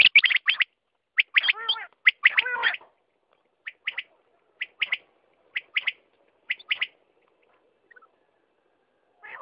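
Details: Quail calling: a burst of sharp, clipped notes with some rougher harmonic chatter, then short paired high notes repeated at roughly one-second intervals, ending in silence.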